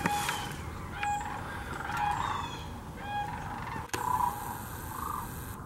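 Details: Distinct harmonic, rolling bugles of sandhill cranes ring out about once a second against the wider flock at Hiwassee Wildlife Refuge, Birchwood, Tennessee, where thousands migrate yearly; a click near four seconds.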